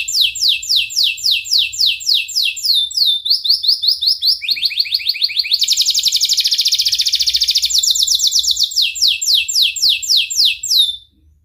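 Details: Canary in long gacor song, used to coax young canaries into learning: rows of falling whistled notes, a higher rapid trill, then a dense buzzy rattle mid-song, returning to descending notes before stopping.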